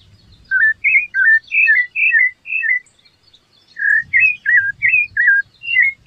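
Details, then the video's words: Clear whistled song of a rufous-bellied thrush, with quick slurred phrases repeated roughly three times a second in two bursts separated by a pause of over a second; faint low rumbling sits in the background. "sabia laranjeira cantando canta muito bonito?"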